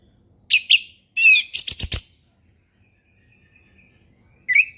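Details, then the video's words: Orange-headed thrush giving relaxed ngeplong song for training young birds: two whistled notes, a harsh buzzy phrase and a fast rattling sequence of clicks, a pause with a faint thin tone, then another whistled phrase. "SUARA HUTAN ANIS MERAH NGEPLONG SANTAI"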